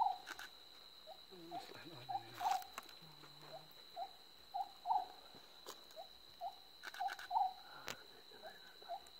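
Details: Oriental scops owl giving short, hollow, croaking notes at a steady pace, some doubled, with scattered clicks and taps, a few low murmuring sounds early on, and a continuous high thin whine behind.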